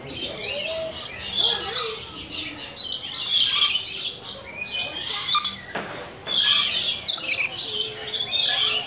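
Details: Rainbow lorikeets (Trichoglossus moluccanus), possibly with coconut lorikeets, screech repeatedly in harsh, high, grating bursts, several birds overlapping, with faint lower sounds underneath.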